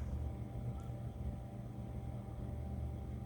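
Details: A constant low mechanical hum with steady tonal bands drones throughout, and no animal sound is heard.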